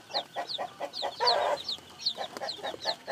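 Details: Downward-sliding peeps from newly hatched chicks alongside muffled low clucks; a short, loud rustling burst breaks in near the middle before the peeping resumes.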